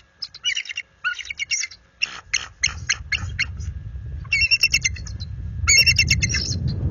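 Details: A wild bald eagle pair defends its nest territory at night, February 26, 2022, warning off a visiting adult eagle. Fast, squeaky, stuttering chatters in a series of quick bursts, then a low rumbling background rises.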